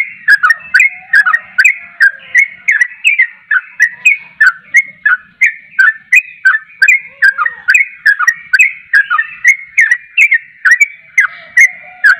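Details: Yellow-vented bulbul in full, persistent song, played to set other bulbuls singing: a long unbroken run of quick bubbling notes, nearly three per second, with a faint humming tone beneath.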